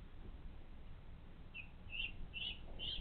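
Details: Bald eagle at its nest, picked up by a live nest camera on 16 July 2022 at 14:38: four thin, high piping notes, each louder than the last, over steady low rumbling background noise.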